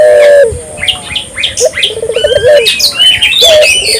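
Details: Barbary dove in lively voice, used as a lure to prompt local doves to call: two rolling, trilled low coos, one at the start and one in the middle, over busy high chirping and whistling from other birds.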